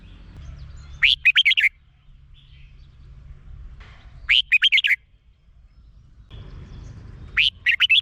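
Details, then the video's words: Red-whiskered bulbul from Thailand repeating a short sweet phrase of five or six rapid whistled notes three times, about three seconds apart, separated by quiet pauses with low rumble. "เสียงนกกรงหัวจุก สำหรับต่อ หรือ เปิดให้นกคึก เสียงเพราะๆ"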